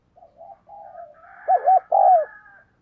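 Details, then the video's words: Decoy spotted dove calling quickly to draw in wild doves: soft drawn-out humming tones, then two loud, rounded coos, the second longer, with a faint rough overtone behind them. "Chim Cu Mồi Thúc Gáy Gọi Tốc Độ"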